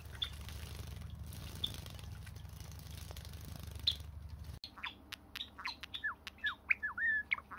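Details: Pet Java sparrow kept at home: after a few seconds of low steady hum, a quick series of sharp chirps and short downward-sliding notes, some ending in a brief warble, close together in the second half.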